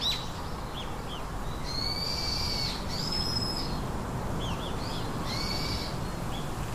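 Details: Three nestling birds call from their nest: three long, strained, high, buzzy notes spaced a few seconds apart, mixed with brief soft chirps, against a constant low background rumble.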